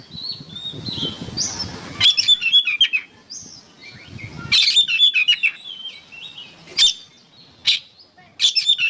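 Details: Oriental magpie-robin song for training songbirds: a soft warbling start, then loud chirpy whistled phrases and isolated sharp clicks at irregular intervals, with low background rumble early on.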